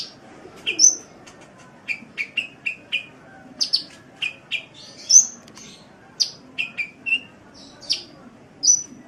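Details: Sunbird song from a tutor recording for training cage birds: high, sharp chirps and short whistled notes, some dropping in pitch, scattered irregularly with faint low background murmur.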